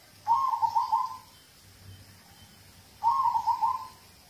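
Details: Zebra dove of a local type, its song played to coax other birds into singing. Two bubbling, pulsed coo phrases about three seconds apart, each roughly a second long with a soft trailing note.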